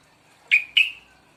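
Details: Young sooty-headed bulbul, two months old, beginning to sing: a pair of loud, bright notes in quick succession, each a sharp onset trailing into a short falling tail, on a quiet background.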